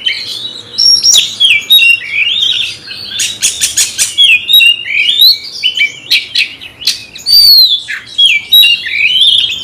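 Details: Challenge song of a magpie-robin provoked by a rival: flowing whistled phrases with downslurred notes, a fast series of sharp clicks midway, then more varied warbling.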